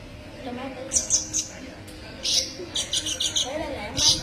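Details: Sunbird called kolibri ninja in a songbird training recording: clusters of very high, buzzy chips in short volleys, separated by pauses, with faint low sounds in the background.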